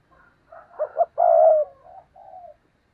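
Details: Dove cooing, offered as a spotted dove lure to make wild doves coo back. Layered, overlapping low hoots build into a strong rolling purr and then fade into softer trailing coos. The recording sounds slightly blurred.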